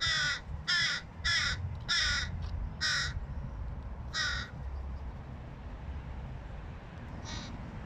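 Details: Chatty hooded crow fledgling trying to eat on its own: a rapid burst of six hoarse caws, then one more after a pause and a fainter final call, with steady low rumbling in the background.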